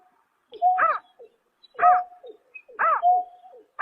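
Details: Greater painted-snipe heard at night in March 2024, producing three arched, harmonic hooting notes, each trailing into a steady low tone, spaced about one second apart in otherwise quiet surroundings.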